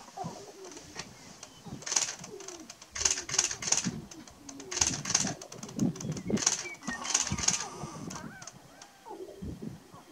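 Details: Several male sharp-tailed grouse on a lek in Burwell, Nebraska, 29 March 2018, giving a mix of low coos, cackles and sharp clicking bursts, with wingbeat-like rattles.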